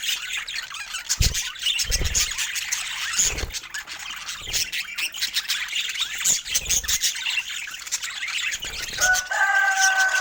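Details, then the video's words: Pet budgerigars chirping joyfully: a steady wash of high warbling chirps from many birds, broken by a few soft low thumps, closing with clear held whistled tones. "Budgie Fun and Joyful Chirping Sounds"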